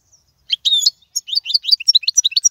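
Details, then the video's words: European goldfinch singing a clean 'royal' style song meant for tutoring young birds: a faint opening note, then quickening high twittering notes, tight chirps and slurred whistles packing closer together toward the end. "أفضل تغريد الحسون"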